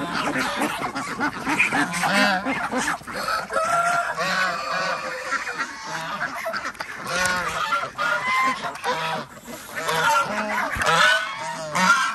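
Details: Farm ducks in Andhra Pradesh calling at feeding time alongside chickens and geese: a steady flock chorus of harsh, nasal honks and quacks, arched harmonic calls overlapping throughout, with scraping and handling noise.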